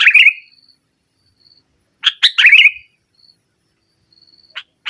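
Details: Sooty-headed bulbul singing energetically in the nggaruda style, meant to dominate rivals: a bubbly phrase opens the clip, then after a pause two clipped notes lead into a rich warbled, descending flourish, with a thin high whistle faintly in between.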